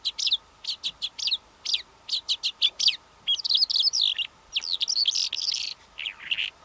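A Calandra lark sings in high, quick chirps that run into a dense, scratchy jumble of trills and whistles. A faint steady hum lies underneath.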